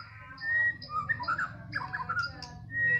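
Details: A White-rumped shama from Medan sings in the afternoon, mixing high thin whistles with bursts of tumbling, warbled notes across a wide pitch range. Steady low background hum.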